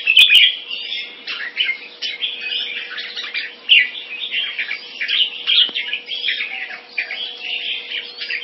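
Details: Caged red-whiskered bulbul kept in Singapore, a big-wing open-tail crossbreed from a champion bloodline, giving dense, rapid chattering warbles of bright whistled notes with scratchy phrases, almost continuous throughout, with a faint steady low hum behind.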